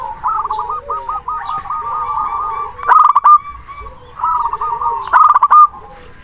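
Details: Zebra dove, a local bird with a big voice, singing to call a rival: a fast staccato run of bubbling coo notes, then loud rattling bursts near three and five seconds, with a second stuttered coo series between.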